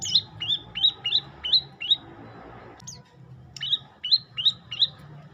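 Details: Olive-backed tailorbird song of crisp, high upslurred chirps delivered in quick runs, a short pause with a scratchy note midway, then the rapid chirping resumes over a low steady hum.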